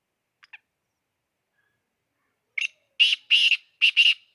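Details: Black francolin, locally kala teetar, calling excitedly: after two faint ticks and a pause, a loud grating phrase of five harsh, buzzy notes, the last pairs run closely together, in otherwise quiet surroundings.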